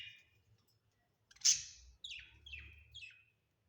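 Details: Home-kept budgerigars: one sharp loud chirp followed by three softer, falling chirps in quick succession, with a faint low hum from the room.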